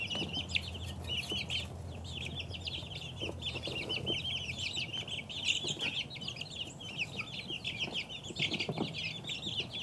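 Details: Two-week-old chicks peeping steadily, a dense chorus of many high, short chirps overlapping continuously, with a low hum beneath.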